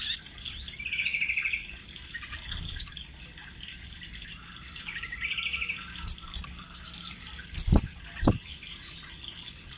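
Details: Sunbird in full rolling song, kept as a training master for young birds: a rapid buzzy trill at mid-high pitch around one second long, then scattered sharp high chirps, with clicks and knocks and faint background hum.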